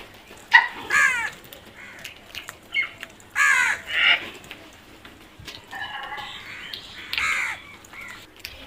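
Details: Crows cawing harshly in pairs and short runs, the caws raspy and falling in pitch, with a drawn-out grating call near the end.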